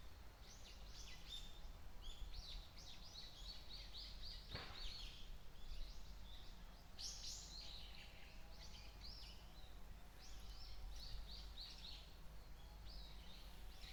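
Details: White-eye giving a busy stream of short, high chirping and twittering notes, many quick downslurred chips in loose bursts, over a steady low rumble of background noise.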